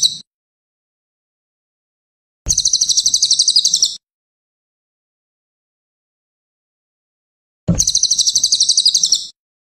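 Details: Cililin used for training songbirds, delivering short, high, buzzy trills of about one and a half seconds, repeated after roughly four seconds of silence, with a clean background.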